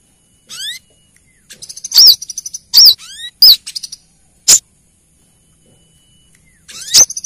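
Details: Used to lure small birds, a female brown-throated sunbird calling the male gives rising thin whistles, rattling high trills, and several loud ringing chip notes spaced about a second apart.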